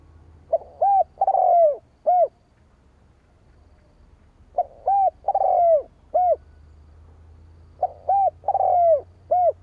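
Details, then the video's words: Spotted dove cooing to lure rival doves, the same four-part phrase of soft notes and a long falling coo repeated three times at roughly four-second intervals over a faint low hum. "Tiếng chim cu gáy kích bổi"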